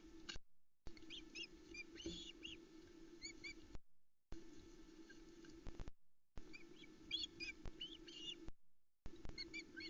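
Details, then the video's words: A hungry Osprey family at the Loch Arkaig nest, Arkaig Community Forest, mobs the arriving male over a small trout. Recorded on the nest camera on a July 2020 evening. Scattered thin high chirps come in two clusters, with camera hum and short dropouts. "Louis the Loch Arkaig Osprey is mobbed when he arrives with fish number three"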